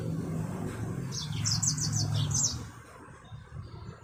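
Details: A brief burst of rapid, high twittering notes from a Yellow-fronted canary, a kept Mozambique finch used as a tutor bird. About six quick chirps come in a row, then fade, with a low rumbling background.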